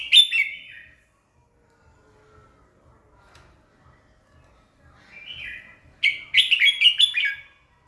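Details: Morning song of a red-whiskered bulbul for getting birds to sing: a bright warbled phrase, a long quiet gap, then a soft note and a longer rapid string of chirpy warbles.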